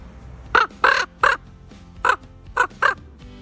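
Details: Rescued Common Raven, at least 15 years old, kept in human care after an injury left it unable to fly, giving six short, harsh, croaking calls in two loose groups of three across about three seconds, with faint music underneath.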